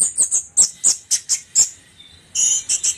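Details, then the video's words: Orange-headed thrush singing in the trotol style: a run of short, sharp, very high notes about four per second, a short pause, then another burst of rapid high notes. "anis merah trotol jahat"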